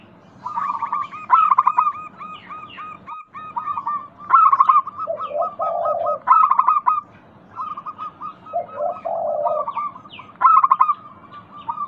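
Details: Recording of local zebra doves meant to make every dove in the village answer. Low purring coos recur between long runs of steady high chirps, with several louder bursts spread through the clip.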